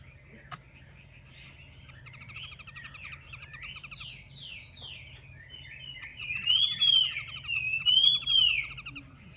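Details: Chinese hwamei, with a female calling to stimulate males to sing: a varied run of slurred whistled and buzzy phrases, growing louder toward the end with clear rising-falling whistles, and a steady high tone and low hum behind.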